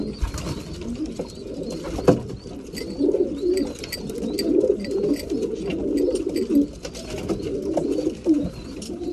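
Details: Several breeding pigeons at mealtime, low rolling coos rising and falling in overlapping bursts, with sharp pecking clicks and bustle in the background.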